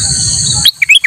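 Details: Kutilang emas used as a master song for training other birds: several quick, clear rising whistled chirps cut in after a steady high-pitched insect hum.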